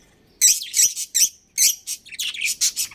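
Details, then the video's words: Budgerigars, a breeding pair within a colony, utter bright, warbling chirps. Three spaced notes come first, then a quicker jumble of high, twittering squeaks. "Cute Budgies Chirping Sounds"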